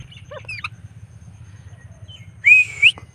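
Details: Pet blue Indian ringneck parrot out on an evening walk gives brief chirpy whistled notes, then after a pause a loud, clear rising-and-falling whistle lasting about half a second, over a steady low rumbling hum.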